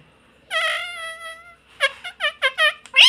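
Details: Pet rose-ringed parakeet mimicking human words such as "mummy papa": one long steady voiced syllable, then a string of five or six short rhythmic syllables ending on a sharp squeak.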